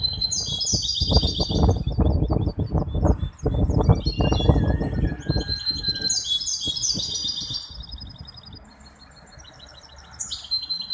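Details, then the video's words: Competition singing by a hybrid goldfinch, Ain Chock bird association, Casablanca, 23 May 2021: repeated bouts of high twittering and trilled phrases over heavy low rumbling noise that fades toward the end. "مباراة تغريد هجين الحسون"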